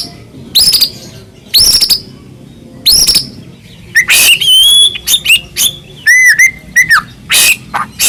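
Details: White-rumped shama of the Medan type singing non-stop with full fill-in phrases to provoke other shamas to sing: loud rising buzzy sweeps about once a second, then pure whistled notes and quick looping chirps.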